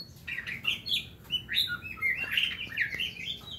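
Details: Aviary-kept white-rumped shama giving a varied, quick run of chirps, twitters and short whistles that jump up and down in pitch, over a faint low rumble.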